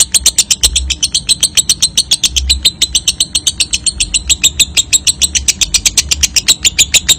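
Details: Continuous, shrill lovebird ngekek chatter, closely packed pulses about four a second, used to prompt young paud/balibu lovebirds to trill frequently; soft low hum beneath.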